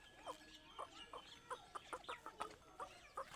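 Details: A grey francolin (teetar), recorded in the evening, gives harsh, clucking notes in a quick, uneven run, about two or three a second, with a faint hiss in the background.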